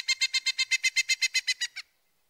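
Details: Loud Pileated Woodpecker call, rendered as kiki, gives a quick run of about thirteen ringing notes over under two seconds, swelling and then fading, the last note weaker.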